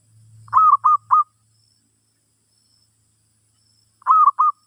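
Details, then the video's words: Zebra dove singing during a session teaching a new bird: a triple burst of short, warm coos, a pause of nearly three seconds, then another triple, over a brief low hum. "Suara Burung Merbok"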